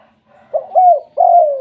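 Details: Mellow, low cooing from a spotted dove in its 'kuk 2' style, which draws other doves into calling. A brief note leads into a longer slurred coo, then a sustained, slowly falling final coo.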